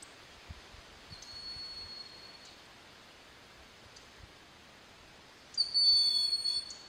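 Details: Broad-winged hawk calling from a snag in Sugar Hill State Forest, Watkins Glen, New York, while another broad-winged hawk and a red-shouldered hawk call; a faint thin whistle early, then a loud, high, drawn-out whistle near the end.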